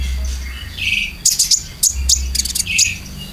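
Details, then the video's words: Lure song from a Konin for caged birds: a soft whistle, then bursts of high, crisp chirps repeated irregularly, with music playing low behind. "PANCINGAN KONIN ISIAN"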